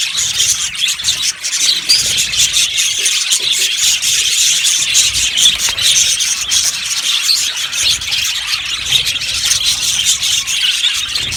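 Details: Continuous chatter from a yellow budgie aviary colony, a thick blend of high chirps, buzzy warbles and occasional piercing squeaks without pause.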